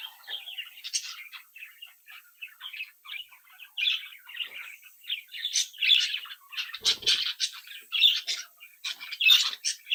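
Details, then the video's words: Captive budgerigar chicks from a home brood, chattering, singing and mimicking: a fast run of high chirps and warbled notes, quiet at first, then louder bursts, with several birds overlapping. "Sonidos de Mi Cría de Periquitos Australianos"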